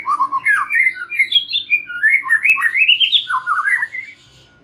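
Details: Song of a white-rumped shama, a lure for young and wild-caught birds to start singing freely: a long flowing run of whistles and warbles climbing gradually in pitch, then dropping into lower rippling notes before stopping.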